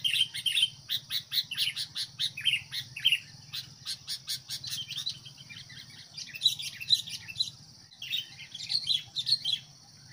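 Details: Decoy sooty-headed bulbul provoking fights with wild birds, calling almost continuously in rapid chattering chirps and short squawky notes, under a persistent shrill insect whine.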